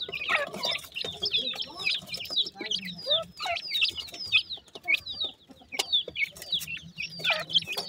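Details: Partridge chicks during feeding: a continuous chatter of high, downslurred peeps from many chicks, with occasional lower notes and short clicking sounds.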